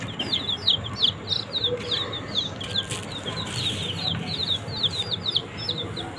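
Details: Young desi chicks feeding on green leaves. Many shrill, falling peeps come about three per second, loud at the start and softer toward the end, over steady low background noise.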